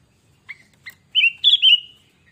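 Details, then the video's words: Sooty-headed bulbul sings actively: two brief soft chips lead into a rich, fluty whistled phrase of rolling notes that rise and then level off into a trailing whistle, with nothing else audible. "Kutilang Gacor Pancingan"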